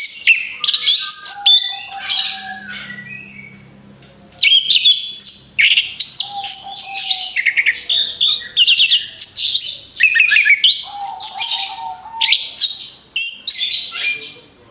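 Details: Orange-headed thrush song used as bait to attract other birds: long, rapid sequences of high sharp chirps and whistled slurs, with several lower level whistles, a quiet stretch around four seconds, then nonstop varied song.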